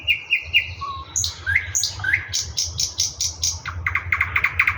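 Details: A thrush nightingale sings in Russia, mixing repeated piping notes, upward-swooping whistles and a sequence of loud clipped clicks ending in a fast stuttering trill.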